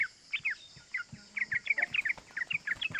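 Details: Yellow-vented bulbul (trucukan) giving lively "cuk cuk" calls in the fast ropel style, used as a lure to excite other bulbuls: quick burry two-note chirps, irregular, speeding into a dense run, with a faint low thumping underneath.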